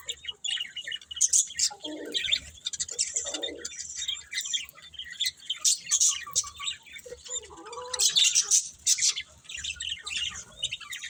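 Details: Budgerigars kept as pets keep up a lively, continuous warbling of high clicks, squeaks and rasping chirps, with a few lower, throaty notes early on.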